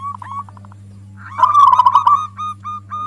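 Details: Local zebra dove giving its loud provoking song used as a lure: soft quick notes lead into a rich rolling trill, then spaced short coos; faint steady hum in the background.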